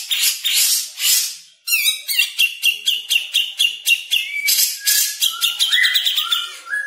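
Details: Fast-paced jenggot song opening with harsh rushing bursts, then a quick string of crisp high chips and short whistled notes, the rhythm steady and accelerating toward the end.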